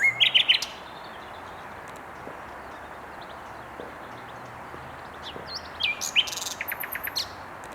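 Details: Singing nightingale at Mils, 7/5/21: a brief phrase of quick, repeated notes, a long pause filled with steady background hiss, then a varied burst of sharp, high whistles and trills.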